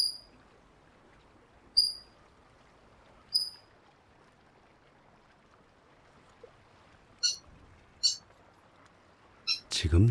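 A Eurasian coot gives two short, sharp, high notes about a second and a half apart, then several clipped, rasping bursts near the end over a quiet background.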